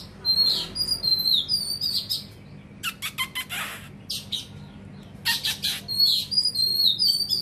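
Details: Oriental magpie-robin singing with its tail fanned wide, giving high thin whistled notes and short slides alternating with rasping, noisy bursts in irregular series, with a steady low background hum.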